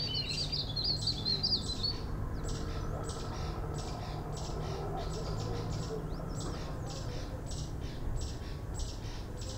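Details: A female Chestnut-bellied rock thrush (Monticola rufiventris) in Landour, India, gives a brief high twittering phrase, then a run of dry ticking notes about four per second, over a steady low rumble.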